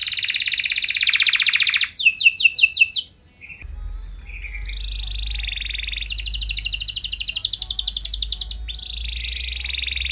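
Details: Canary in full song, used to spur other canaries into responding; a dense buzzy trill, then quick repeated sweeps, a brief pause, and long rapid rolling trills over a low steady hum.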